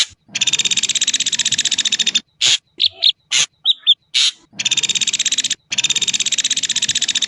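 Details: Long grating pulsed rattles from an Ashy drongo fill most of the recording, broken by a burst of harsh chips and a couple of faint short whistles midway.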